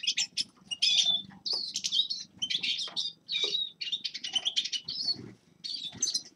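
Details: Forest birds in winter give bursts of high chirps and short whistled trills separated by brief pauses, over a faint low rumble in the background.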